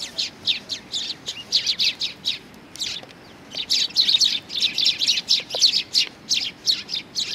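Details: A flock of Eurasian tree sparrows coming for food at a Tenmangu shrine, 20 September 2020, chirps busily: dense, overlapping high cheeps several per second, with a brief lull midway before the chatter swells again.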